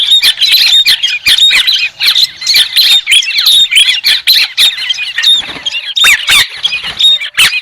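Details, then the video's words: A rollicking, squeaky chatter of White-crested laughingthrush, with rapid overlapping cackles, occasional upward-sweeping squeals and sharp percussive clicks throughout. "TIẾNG CHIM HÉC SOAN-CHIM ĐẦU TRẮNG"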